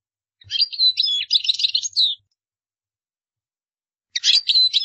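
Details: European goldfinch song, offered for other birds to learn by copying: a rapid, liquid twittering phrase of about two seconds with tinkling and slurred notes, a pause, then another twittering burst begins. No other sounds.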